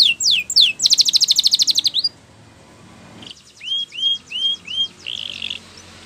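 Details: Spanish Timbrado canary training song with a few falling notes, then a fast ringing trill lasting about a second, a brief silence, four soft rising whistles and a short buzzy roll.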